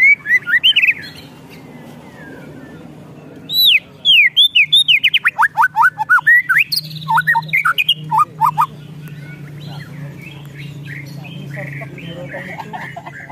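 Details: White-rumped shama in an emotional, agitated state giving its ketrekan: a brief whistled phrase, a pause, then a long burst of loud down-slurred whistles repeated twice a second, ending in softer chatter.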